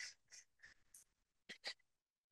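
A mallard gives a run of short, nasal quacks about every third of a second, then two louder ones, with a chuckling, laugh-like rhythm.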